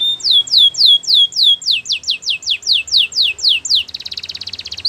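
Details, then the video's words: Belgian canary singing for training: slow repeated descending whistles that speed into sharper falling notes, ending in a rapid pulsed buzzy trill. "Canary singing for training | Belgian canary"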